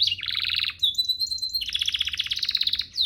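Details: Canary singing a training master song: a rapid rattling tour, then a long steady high whistle held for about three-quarters of a second, followed by another quick rolling trill.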